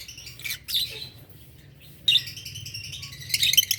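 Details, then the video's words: Morning chirping from adult green Fischer's lovebirds: short, shrill, noisy bursts separated by pauses of about a second, with a faint low hum beneath. "lovebirds chirping sound adult lovebirds green fischer health birds"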